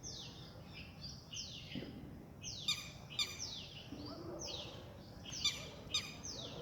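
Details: Red-wattled lapwing in a neighbourhood park in India, giving its "did he do it" call: high, thin notes sliding steeply downward, repeated roughly every second, with a few sharp clicky accents over a low background hum.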